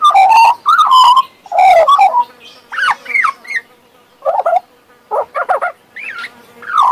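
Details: A pet male Western Australian magpie sings loud, rich warbling phrases, then quieter up-and-down slurred whistles and gurgles, ending in another bright rising note.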